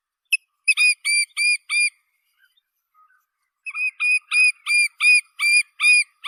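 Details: Little grebe (Tachybaptus ruficollis) call: high, squeaky whistled notes, about three a second, in two bursts separated by a brief pause.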